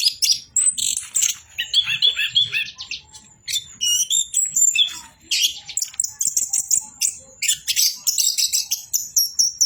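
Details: Orange-headed thrush pouring out song: buzzy rattling passages alternate with high thin whistles and quick chip notes, sustained almost without rest over nearly ten seconds.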